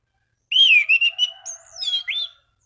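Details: Orange-banded thrush calling rivals with song meant to set other thrushes singing; a rich run of wavering whistles, a high drawn-out slur and a final upswept note, with a faint low hum beneath.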